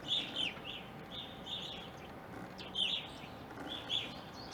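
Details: Backyard flock of Evening grosbeaks in Ohio, present from winter 2020 into April 2021. Sharp ringing call notes arrive in small bursts, some doubled, against quiet outdoor background.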